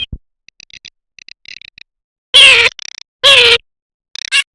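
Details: Garganey: soft dry clicking rattles in quick short series, followed by two loud harsh nasal calls with falling tones and a brief final call; no other sounds.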